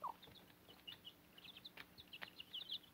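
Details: Chicks with their Cochin mother hen in a backyard flock on fodder, nearly in adult feathers, utter soft, high, downward peeps in loose clusters, with faint tapping sounds between them.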